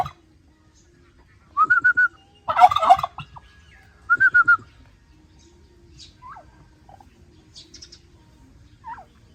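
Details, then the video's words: Turkey voice: short whistled notes, then a loud, dense, rattling gobble, then another brief whistled phrase. Faint scattered chirps follow in an otherwise quiet background. "รวมเสียงไก่งวงร้อง หาฟังยากมาก"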